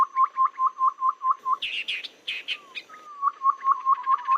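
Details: Babbler lure sound for trapping: a quick row of short clipped upslurred notes, then a pause filled with loud harsh chatter, then the rapid notes resume.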